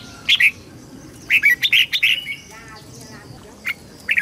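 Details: Red-whiskered bulbul song used to train young birds: a pair of bright notes, then a longer chattering run of about eight warbled notes, a rougher buzzy patch, and scattered single chirps.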